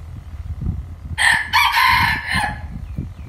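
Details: A rooster crowing in the morning: one loud, harmonic-rich crow lasting about a second and a half, broken into two strong phrases with a short break, over low rumbling background noise.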